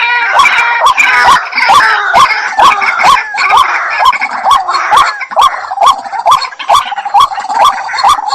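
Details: Steady rhythmic calling of a white-breasted waterhen: clipped, rising notes spaced about half a second apart, each with a sharp click, continuing without pause.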